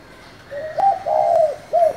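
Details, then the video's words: Spotted dove, 'thổ' voice, calling to provoke newly caught doves to respond. One phrase of low coos: a quiet rising start, a long steady warbled note, and a short arched final coo. "Cu gáy giọng thổ gọi, thúc kích bổi nhanh nổi"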